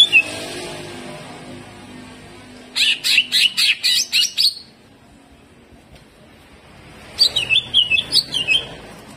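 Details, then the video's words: Greater green leafbird, kept as a songbird and singing a fast, rough 'tembakan kasar' style: two bursts of rapid high chips and buzzy notes, the first at about 2.7 seconds, the second a wavering whistled phrase near the end, with a quiet gap between. "CUCAK IJO GACOR HYPER TEMBAKAN KASAR"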